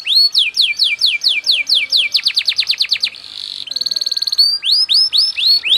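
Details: Singing canary, 'cengkok speed rapat' song style: repeated rising chirps speeding into a quick downward-slurred series, a short buzzy note, a very rapid trill, then rising chirps again.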